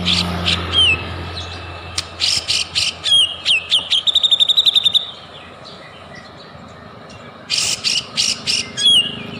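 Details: Varied white-rumped shama song aimed at provoking other birds to sing: scattered whistles and harsh chips, a fast rattle of tiny notes in the middle, quiet, then another cluster of rough notes and whistles.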